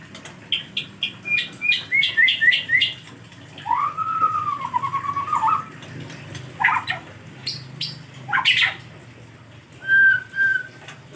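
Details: White-rumped shama in the rainy season, struggling to bathe, giving separate whistled phrases: a run of short rising notes, a long wavering mid-pitched whistle, then sharp high bursts and a final clear note after pauses.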